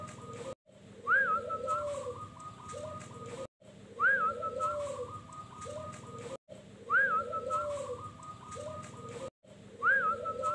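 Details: Local zebra dove (perkutut) singing in the wild in a village in Sukowiono, Tulungagung, Indonesia; a phrase repeating about every three seconds, with a rising whistled note, a short trilled run and lower soft cooing over a steady background hum.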